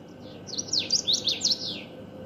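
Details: Common waxbill song: a short, fast phrase of high buzzy notes, each swooping down and up in a rapid zigzag, about six in a row over a second and a half, with a faint steady hum beneath.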